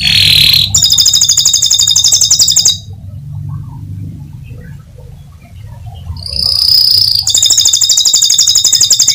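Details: Domestic canary singing to stimulate other canaries to sing: loud rapid trilled phrases, buzzy repeated notes at a fast steady rate, a pause of about three seconds with low background hum, then the rolling trill resumes.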